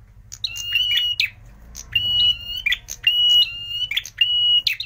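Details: Prinia sings high, thin, sustained whistles with sharp chipping notes, repeated in bursts about once every second or two; played as a lure call.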